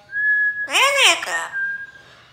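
A parrot's steady high whistle breaks into a brief, rasping, speech-like phrase that rises and falls, then the thin whistle returns.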